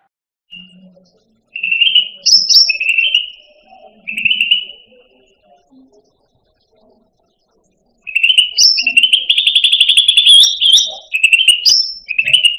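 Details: Caged Indonesian grassbird (cucak rante) kept as a songbird, used as a training recording for pet birds: bursts of fast, buzzy trilled notes with brief higher whistles, separated by pauses, with soft low chatter in between.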